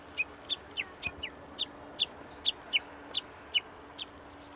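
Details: Unseen Japanese bush warbler repeating a clear, sharp, high note roughly every third of a second, about a dozen times, over a quiet, steady background hum.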